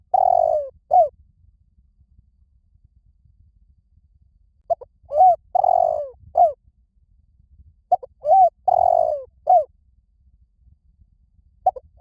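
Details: Spotted dove cooing to lure other doves, low rhythmic phrases of short coos around a longer drawn-out falling coo, each phrase repeated about every four seconds over faint low background hum.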